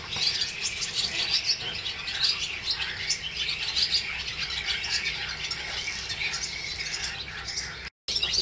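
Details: Bright, sharp chirps repeated in quick bursts from swallows over the Jewish quarter streets of Hervás, northern Extremadura, forming a busy twittering backdrop.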